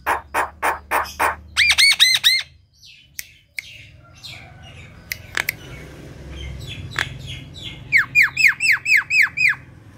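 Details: Javan myna in strong song, used as a lure to get reluctant mynas singing; harsh repeated bursts, a short run of looping whistled notes, scratchy chatter, then a closing series of even, downslurred whistles, over a low hum.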